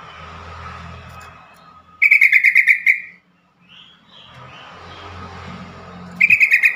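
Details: Yellow-vented bulbul call meant to trigger replies and start stressed or newly caught bulbuls singing: a rapid pulsed chatter of about ten notes, a pause with faint chirps, then the chatter begins again.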